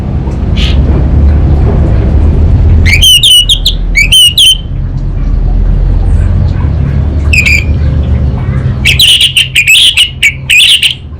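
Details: Orange-headed thrush of the anis bata type, singing lively kabel konslet song: separated bursts of fast warbled whistles and a single short note, over a steady low rumbling hum.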